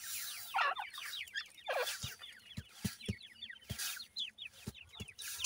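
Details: Grey partridge chicks of the new season with their parents: high, sliding peeps in clustered bursts, a couple of louder, fuller chirps near the start, and regular soft taps underneath.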